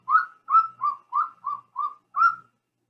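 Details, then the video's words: Golden eagle call, played back for comparison with the bald eagle and described as almost whooping. Seven short, mid-pitched yelping notes with a slight upward inflection, evenly spaced about three per second, clean with no background sound. "I do not have a good picture of a golden eagle in flight, but I do want to play for you their call."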